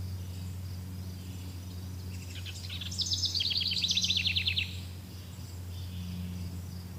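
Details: Bird singing in a forest: a fast, dry trill of rapidly repeated notes lasting about two seconds, preceded by fainter similar notes, over a steady low hum and background noise.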